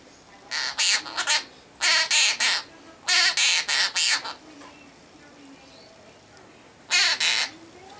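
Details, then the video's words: Pet male half-moon conure singing his favourite song, "Wheels On The Bus", in harsh, buzzy, speech-like syllables bunched in quick runs of three to five, with short pauses between phrases. "Conure Sings "Wheels On The Bus...""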